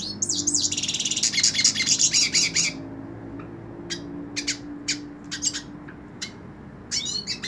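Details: Held in a person's hand, a hooded siskin pours out a dense, buzzing twitter for almost three seconds, then switches to scattered, spaced chips and a final short warbled phrase.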